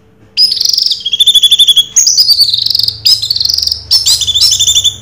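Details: Orange-headed thrush pouring out continuous Raja Teler song, rapid trilled and rattling phrases at high pitch, shifting between rolling warbles and fast stuttering notes without pause; a faint hum underlies it.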